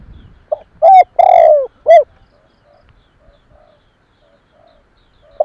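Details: Spotted dove cooing to lure in other doves: three loud, mellow, hooting notes in quick succession, then faint softer coos and another note starting at the end.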